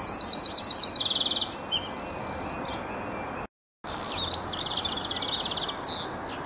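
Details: Songbirds singing at Bedhampton Railway Station gardens: a rapid series of high, bright repeated notes followed by trilled phrases, a short gap, then more busy chirping and twittering over steady low background hum.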